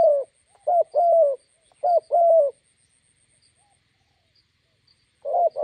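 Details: Spotted dove, a decoy bird meeting a wild bird by a road in Gia Lai, Vietnam: two clear phrases of short-then-long throaty coos, then nearly three seconds of silence before cooing resumes.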